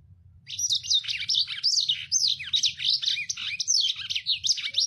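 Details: Fast, harsh song of a lemon-breasted canary singing energetically for use as a training recording. An unbroken stream of rapid chirps, buzzy notes and swooping whistles starts after half a second and runs to the end, with a low background hum.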